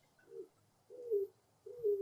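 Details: Greater Roadrunner giving three soft, faint, low, dove-like coos, each sliding slightly downward and spaced under a second apart, calling as it turns and bends over; otherwise quiet.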